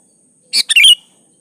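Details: Sooty-headed bulbul (kutilang) singing in a lure recording meant to prompt other bulbuls to sing: one short burst of two or three bubbly, squeaky notes ending in a bright slurred whistle, with a steady faint high hiss behind.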